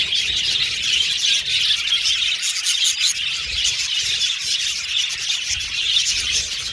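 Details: Many budgerigars in an aviary singing and chirping; loud, pulsing high chatter with rapid chirps and squeals woven through a constant flock warble.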